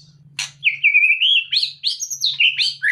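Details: Caged white-rumped shama, lifted out of its cage to shed fat, sings a sharp click, then a series of clear, sliding whistled phrases, rising and falling, one after another.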